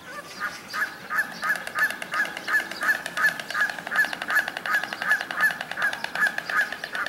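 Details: Red-crowned cranes in courtship display give loud, trumpeting honks, repeated in a steady rhythm almost three times a second, with a faint hiss of background noise.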